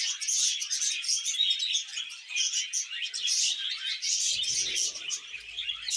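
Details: Budgies mating and breeding: a steady stream of bright twittering warble and rapid chirps throughout, and a soft low thump near the end.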